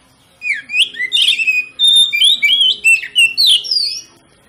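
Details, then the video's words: Oriental magpie-robin (kacer) lure song aimed at provoking other kacer into song: energetic, varied phrases of sliding whistles, chirps and trills in quick succession, loud and sustained for several seconds. "PANCINGAN KACER PALING AMPUH MERANGSANG KACER LAIN AGAR LANGSUNG BONGKAR ISIAN"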